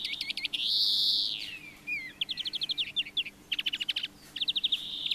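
A Brambling gives a long, nasal, buzzy wheeze, then bursts of quick high chirps and short rattling trills.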